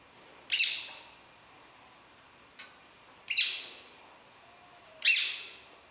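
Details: Wild rose-ringed parakeet on 19 July 2016, said to be talking: three loud rasping screeches and one brief clipped squawk, spaced a second or two apart, each harsh note fading quickly, in otherwise quiet surroundings.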